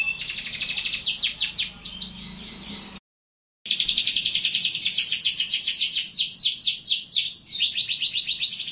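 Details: Canary singing fast dense trills with sweeping slurred notes, interrupted by a brief gap of silence, then a long continuous rolling trill.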